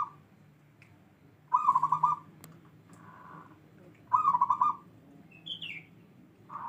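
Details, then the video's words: Zebra dove, a local wild-bred bird of 'bedah karang' katuranggan, repeats its stuttering phrase of fast, soft pulsed coos twice, about two and a half seconds apart, with fragments at the edges and a faint higher chirp between. "Perkutut lokal alam katurangan bedah karang"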